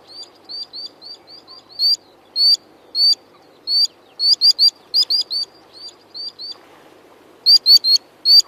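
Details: Common sandpiper (Actitis hypoleucos) giving high, thin whistled calls, some in quick runs of two or three and others spaced out, over a faint low rumble.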